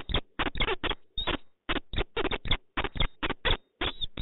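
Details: Meeting of a peregrine falcon pair, Poznań, Poland, 4 January 2023: steady series of rasping, chattering calls, roughly three per second with tiny gaps, loud and harsh against a quiet background.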